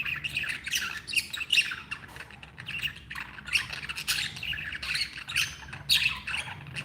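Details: Budgerigars kept as pets, called happy, produce lively overlapping squawking chatter with sharp chirped peaks repeating every second or so.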